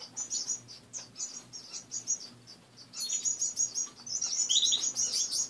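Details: Caged pet finches in the morning give rapid high chirps about three per second, quieter at first, then a louder busy chorus with a short trill near the end.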